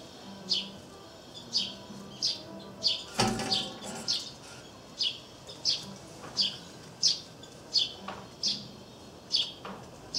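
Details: Eurasian tree sparrows chirp busily near a peanut wreath feeder on April 3, 2013, short bright notes repeated roughly once a second, with a brief rustle or wing flutter midway.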